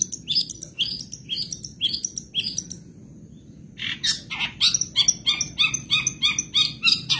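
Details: Madura long-tailed shrike, a kept songbird, on a 2023 tutor recording packed with borrowed phrases; bright high chattering notes in quick bursts, a short pause near three seconds, then rapid repeated stacked chips resume.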